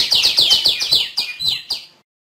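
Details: Female tiểu my bird gives a rapid series of sharp, bright downward-sweeping chirps, slowing toward the end before stopping abruptly.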